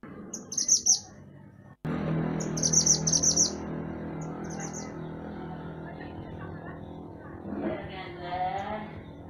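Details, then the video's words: Mantenan gunung songbird, used as a master recording for training songbirds, giving two bursts of high, rapid, sparkling trilled notes under a steady low hum, with a softer wavering sound near the end. "Mantenan Gunung Gacor Burung Masteran Untuk Burung Kicau"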